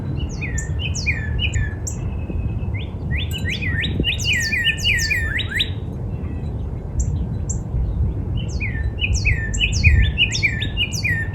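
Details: Northern cardinal singing in a spring backyard: varied phrases of hooked, down-slurred whistles, some quick triplets and a few lower rich notes, mixed with high chirps from other birds and a low steady hum.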